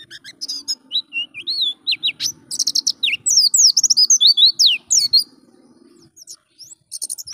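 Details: Oriental white-eye, a wild-type bird whose song serves as training material for pet birds, gives a long run of quick, high twittering whistles and slurred notes rising and falling, busiest mid-phrase, over a low steady hum.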